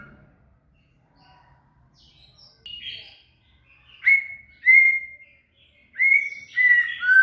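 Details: Shama (murai) song used to tutor a cililin: quiet start, then a series of clear drawn-out whistles, each a second or so, repeated with short pauses and ending on a falling note.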